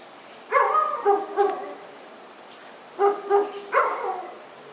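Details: Dusky-legged guan, one of two birds seen near Pereira on 25 November 2021 around 5:30 pm: two bursts of loud, nasal, harmonic honking yelps, three notes each, separated by a quiet pause over a steady high hum.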